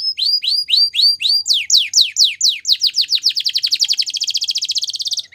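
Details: Morning song of a female Belgian canary: rising whistled notes, then downward-swept phrases that speed up into a dense, rapid rolling trill held for over a second, ending abruptly.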